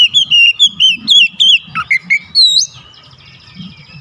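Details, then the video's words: With beak open wide, an oriental magpie-robin pours out a 'tembakan' phrase: a dense run of about ten varied whistles, some dipping low, ending in a rising sweep, then a quiet tail with faint background noise. "KICAUAN KACER BUKA PARUH LEBAR TEMBAKAN PEDAS"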